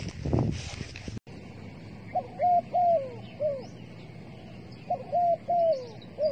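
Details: Dove kept as bait for trapping, giving two short bursts of paired coos, a brief note followed by a longer downslurred one, after an initial loud knock; faint higher chirps of other birds in the background.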